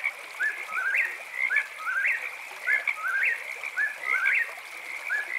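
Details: At night an eastern whip-poor-will repeats its three-note whistled phrase, one short note then a rising slur, about once per second, against a steady, shrill background of frogs chirping.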